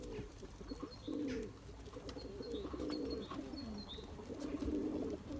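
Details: Turkish tumbler pigeon chasing its mate for eggs and young, giving four rounded, bubbling coo bursts about a second apart, with light high chirps from other birds between them.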